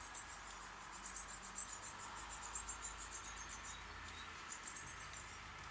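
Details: Nestling birds begging while two adult birds feed them in a birdhouse on a front porch near Steinalben, Germany; faint, thin, very high chirps come in a rapid irregular series over a steady background hiss.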